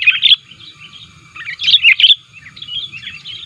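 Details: Sooty-headed bulbul lure call, described as active and pressing opponents: short bursts of bright scratchy chirps separated by quieter warbling, with a soft background hum.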